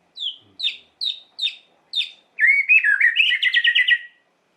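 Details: White-rumped shama singing to provoke emotion: five quick downslurred whistles followed by a loud, fast, buzzy rattling trill that rises and falls for almost two seconds.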